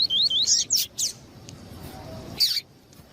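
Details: Double-collared seedeater, male song with female calls meant to warm up males: a quick zigzag of high whistled notes and rasping bursts in the first second, then quiet with one more harsh note.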